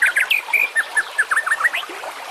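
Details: White-rumped shama song from a masteran tutor recording for training competition birds: a quick run of clear, slurred whistled notes, each rising or falling, delivered in a rapid series of about a dozen over two seconds.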